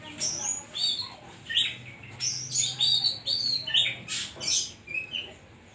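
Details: Oriental magpie-robin (kacer) in vigorous 'isian koslet' song: a continuous run of varied high whistles, sharp chirps and scratchy chatter, with phrases tumbling out about once a second and a faint low hum beneath.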